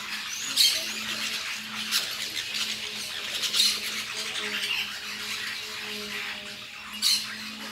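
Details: Lorikeets eating fruit in La Fortuna: a steady background of shrill chatter broken by several louder sharp screeches, with a faint low steady hum beneath.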